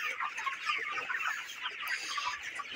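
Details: Many broiler chickens aged 29 days calling together on a farm, an even, unbroken wash of high chirps and soft clucks.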